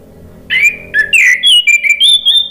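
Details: A male orange-headed thrush answers in song, a lure recording meant to restart birds that have stopped singing: a fast run of clear, sliding whistles, rising and falling, delivered with almost no pause.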